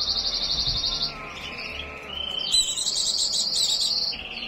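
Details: Breeding-condition white-eye delivering a fast, unbroken high warble that shifts between higher and lower whistled runs, with rapid twittering trills laid over constant background hiss.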